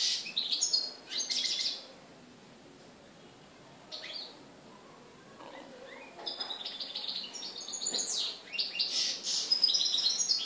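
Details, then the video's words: European goldfinch in Morocco, recorded 4 December 2013: scattered high twitters open, a long quiet gap with one brief chirp follows, then dense, fast, tinkling song with buzzy trills fills the last four seconds. "chardonneret au maroc"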